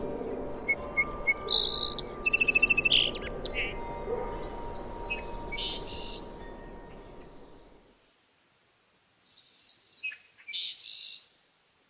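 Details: Song sparrow singing: a clear opening of short bright notes, then a buzzy middle and a jumbled trill of high notes. After a silent pause a second song begins. A steady low hum runs underneath until the break.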